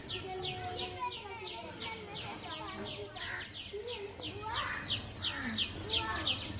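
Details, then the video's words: Birds in a forest on a rainy day: a steady run of short, high, sharp chirps, several each second, over a bed of children's voices and talk. "birds chirping sound"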